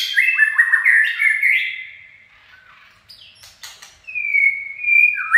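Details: Chạy cầu, the running song of a white-rumped shama: loud tumbling whistled phrases, a pause with scattered clicks, then a long, bright sustained whistle ending on a lower note.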